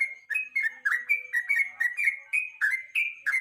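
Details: Short burst of evening yellow-vented bulbul song, used to coax and train other songbirds: dense, bubbling whistled notes tumbling up and down in quick succession.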